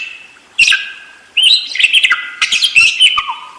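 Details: Budgerigar in fast, continuous rolling chatter: two chirpy bursts of mixed warbled notes, squeaks and short buzzy tones, with a brief pause between them.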